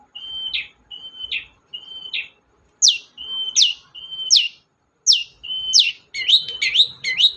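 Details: Long-tailed shrike song played to provoke a silent shrike: a flat whistle ending in a buzzy burst, repeated roughly every 0.75 seconds, later adding sharp downward swoops, and closing with quick warbled twisting notes.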